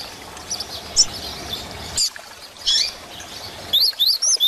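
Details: Grego-style coleiro song for tutoring young caged birds: scattered high chips with a brief burst of notes, ending in a short run of rising, slurred whistles repeated about twice a second.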